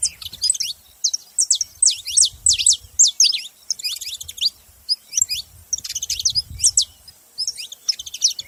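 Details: ['Saffron finches calling as a group, bursts of crisp high chirps and short trills in clusters roughly every second, with low rumbling noise beneath.']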